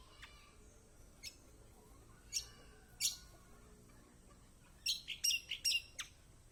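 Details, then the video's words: Kecial kombok, a white-eye, heard as a song lure for idle birds: scattered sharp high chirps, then a fast cluster of bright squeaky notes near the end. "Masteran Kecial kombok/kecial kombo || Pancingan buat kecial kombok malas bunyi auto gacor!!"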